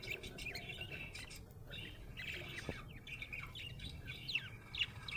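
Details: Happy budgie gives lively, rapid chirping and buzzy warbling with frequent sharp clicks and squeaky rising notes, over a soft low hum.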